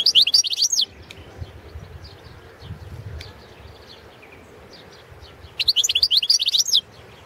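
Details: European goldfinch of the Balkan subspecies carduelis balcanica, recorded for an internet song championship run from Serbia: two bursts of quick, high, twittering notes about a second long, separated by a long quiet gap with low background hum.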